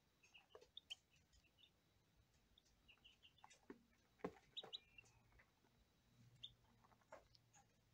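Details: Day-old lavender Ameraucana chicks giving many faint high peeps in small clusters, with a louder pair of thin notes mid-way, over soft pecking taps and rustling.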